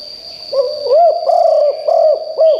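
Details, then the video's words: Decoy spotted dove with a strong voice, calling so wild birds answer: one phrase of five mellow, arched coos, each slightly rising then falling, against a continuous high-pitched drone. "นกเขาใหญ่คับ birds - เสียงนกร้องแรงมากจนนกในป่าร้องตาม"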